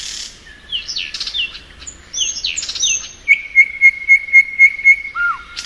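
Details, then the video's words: In spring a thrush nightingale sings slurred, looping whistles and chirps, then a steady series of about eight identical pure whistled notes, closing on a low falling whistle. "Nightingale Song.(Luscinia)."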